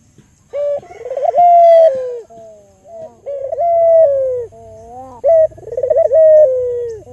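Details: Barbary dove, albino, recorded as a lure to make other doves coo: repeated phrases of a purring trill rising into a drawn-out tone that sags at the end, about every two seconds.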